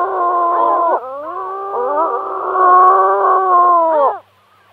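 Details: Gull giving long, sustained, nasal wailing calls with strong overtones, holding a steady pitch for several seconds with brief wavering breaks, ending in a quick downward slur before quiet.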